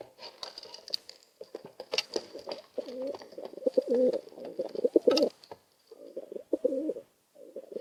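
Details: Two pigeons bickering over space, cooing at each other until one leaves; low throaty rolling coos in repeated bursts with short gaps, mixed with wing flutters and scuffling noises.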